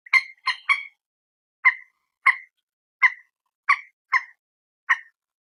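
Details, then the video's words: Common moorhen, known locally as peruk, tiung or mandar batu, giving short, abrupt, reedy yelps, first a quick run of three, then single notes roughly every half to one second, in a quiet setting, recorded by phone. "suara burung PERUK/ MANDAR/ TIUNG"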